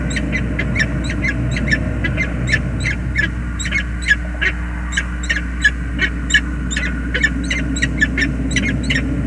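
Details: Peregrine falcons meeting at their bridge nest on 20 February 2022 trade steady, evenly spaced rasping notes, about three a second, over a loud low rumble of traffic-like noise.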